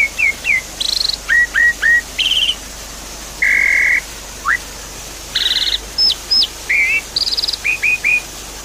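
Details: Javan pied starling singing, meant to prompt a bird that has stopped singing: bursts of short whistles, downslurred triplets, a sustained buzzy note and high chirps in quick varied succession over constant background hiss.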